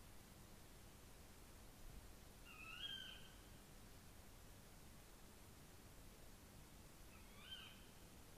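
Tawny owl giving two faint, shrill, sharp calls about five seconds apart, each slightly rising, over a steady background hiss.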